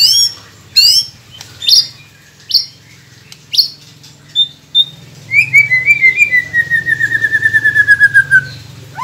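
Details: White-rumped shama training recording meant to get silent captive birds singing: sharp high clicks and chips spaced about a second apart, then a long run of rapid repeated descending notes; low steady hum underneath.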